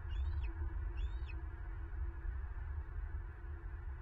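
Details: Wild bald eagle at a nest in southwest Florida, 9 March 2023, caught by a nest camera as a female takes prey. Two thin, high chirping calls, each dipping then rising, sound early on over a strong low wind rumble.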